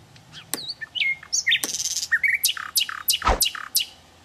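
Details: Sikatan londo in the wild delivering a varied, twittering song: sweeping whistles and buzzy notes, then a series of quick descending chirps about every quarter second. A low background hum is heard.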